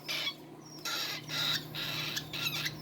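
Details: A hand-fed parrot chick gives harsh, raspy begging chirps, about four bursts in three seconds, over a faint low hum; the feeder says this chirping means its windpipe is closed and crop open for feeding.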